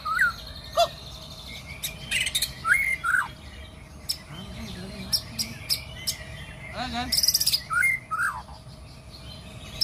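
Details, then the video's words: White-rumped shama, a forest bird, performing its ritual before singing: sparse, sharp whistled notes and short chirps spaced a second or so apart, with a buzzy burst midway and a steady faint background hum. "Burung Murai Hutan Jaguar ritual sebelum naik"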